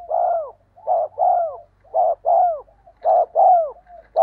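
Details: Spotted dove lure call in the 'giọng đồng' voice for drawing wild doves to coo back: paired low coos, each second note longer and curving downward, repeated steadily over a faint low hum.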